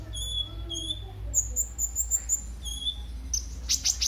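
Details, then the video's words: Sunbird, locally called kolibri ninja, singing in a lively, responsive mood, used as a lure and tutor song for other birds: thin high whistled notes, then a rapid run of sharp piercing chips and a few buzzy bursts, over a low steady hum. "Burung KOLIBRI NINJA anda LANGSUNG GACOR pancingan dan masteran KOLIBRI NINJA GACOR"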